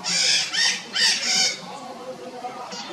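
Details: Red-shouldered macaws give four quick, loud, scratchy squawks in a row, followed by near silence with only a faint call at the end.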